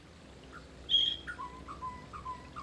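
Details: Mantenan gunung bird singing for lure and master training: a bright high whistle, then a run of clear notes stepping down and holding low, over steady background hiss.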